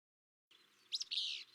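Willow Flycatcher giving one sneezy, two-part 'fitz-bew': a sharp high 'fitz' and then a longer buzzy, slightly falling 'bew', with faint hiss behind it.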